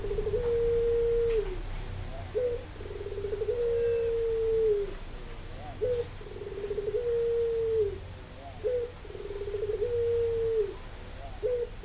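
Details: Spotted dove singing: low, smooth coos near one pitch, each phrase a long level hoot ending in a short clipped note, repeated about every three seconds over steady low background hum.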